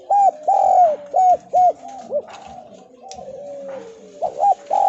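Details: Spotted dove of the Javan type cooing a lure call of the 'kuk2' style, used to make other doves answer. A run of four or five rounded coos, then a quiet gap before the notes resume.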